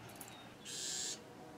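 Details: Bewick's wren at its nest in a clothespin bag in California. A single harsh, buzzy, hissing burst lasts about half a second against quiet background hiss.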